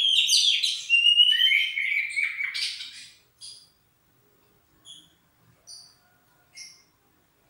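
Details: Oriental magpie-robin warming up, beginning with three seconds of dense, bright whistles and rapid trills sliding downward, then falling back to short, separate high chips spaced about a second apart.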